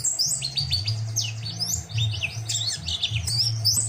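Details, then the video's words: Lively white-eye song used to train other birds to sing. Rapid, tumbling high twittering notes follow each other without pause, loud and bright throughout, above a steady low mechanical hum. "Pleci Gacor !!!"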